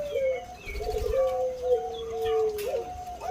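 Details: Zebra dove of the Bangkok type, noted for a big voice, giving a long drawn, slightly falling cooing phrase with short rising notes before and after, steady and clear over faint background noise.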